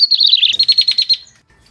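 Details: Bar-winged prinia lure sound for attracting birds, a quick string of roughly twelve piercing high notes, the first ones run together into a warbling trill, then separating into evenly spaced chips before stopping.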